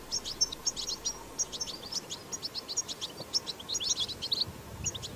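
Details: Wild goldfinch delivering rapid twittering song: closely packed high chirps, tinkling metallic notes and short thin whistles in continuous flowing phrases over faint hiss.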